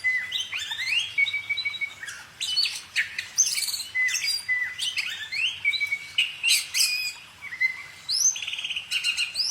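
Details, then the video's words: A singing bird pours out a long, continuous stream of varied chirps, trills and upward-sweeping whistles, delivered in quick clustered bursts with almost no gaps. "kicau burung"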